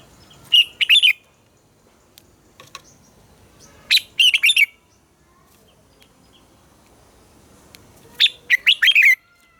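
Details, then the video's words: Red-whiskered bulbul singing its morning song, a wild-style double-note song from Vietnam: three short, loud phrases of sweet, clipped whistles and warbles, about every four seconds, over faint background hiss. "Luyện giọng cho chào mào hót sáng - ép chào mào hót âm kép già rừng hay tuyệt!"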